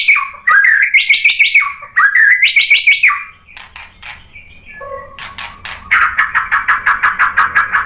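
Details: White-rumped shama song meant to provoke another bird: fast repeated rising notes in rapid rhythmic series, a pause with scattered calls, then a long run of quick repeated chips.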